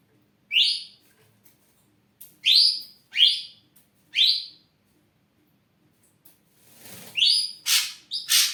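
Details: Ashy drongo kept as a songbird, vocal and active: a sequence of crisp upslurred whistles spaced about a second apart, followed by a mix of whistles and loud harsh rasping notes.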